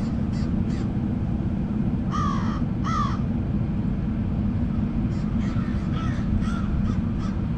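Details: A murder of crows: two loud, harsh, slightly descending caws in quick succession, a pause, then a looser run of fainter, more distant caws, all over a steady low rumble like wind or traffic.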